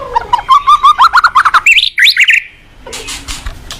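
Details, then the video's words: Actively singing white-rumped shama, used to stimulate young untrained shamas: rapid rising string of rich fluty notes climbing into looping high whistles, followed by a quiet pause and a low hum. "Masteran burung MURAI GACOR bagus buat Pancingan MURAI BAHAN"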